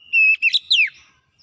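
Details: Oriental magpie-robin in lively gacor singing: a steady pure whistle, then a quick warble and a bright note sliding downward, all clean and close with nothing else heard.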